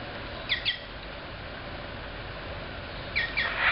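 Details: Boat-billed herons in the South American Aviary at Jacksonville Zoo give harsh, squawky notes in two quick bursts of two or three, about three seconds apart, over a steady background hiss.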